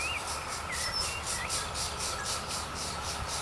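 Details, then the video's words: Woodpecker chicks at the nest being fed by adults beg with rapid, raspy hissing pulses about four times a second over a steady high hum, with a few thin chirps from other birds. "Woodpecker Birds Feeding Their Chicks - कठफोड़वा पक्षी - Birds Chirping"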